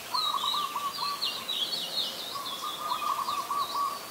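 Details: Adult Red-whiskered Bulbul at Ubon Ratchathani, Thailand, on 16 December 2020, giving bright, slurred chirping phrases high in pitch, while a lower, even rattling trill from another bird runs through most of the recording.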